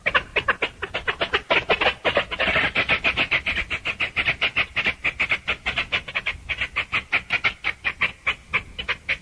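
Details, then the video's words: Chachalaca (aracuã) chorus: a dense, rhythmic run of raspy pulsed notes repeated several times a second for the whole stretch, harsh and broadband, with overlapping voices. "O CANTO DE ARACUÃ canto da aracuã aracuã CANTANDO aracuã canto CANTO Do ARACUÃ som de aracuã"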